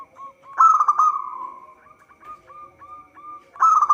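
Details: Zebra dove, local type, singing as a trapping lure: brief soft notes, a loud burry coo, then a string of short, evenly spaced hooked notes before another loud coo.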